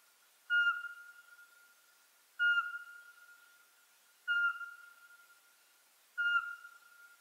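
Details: Eurasian pygmy owl of Ukrainian coniferous and mixed forest, a dusk-active species, repeating a pure whistled hoot about every two seconds, four even notes each starting abruptly and tailing off.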